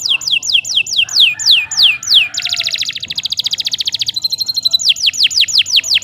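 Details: Long, lively canary song meant as a model for training birds: a run of steeply falling whistled notes, then a dense fast trill, a thin high rattle and more falling whistles.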